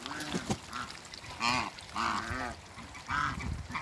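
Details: Honking from a trio of African geese, two males and one female, at play in water in a backyard; four or five clear nasal honks spaced roughly a second apart.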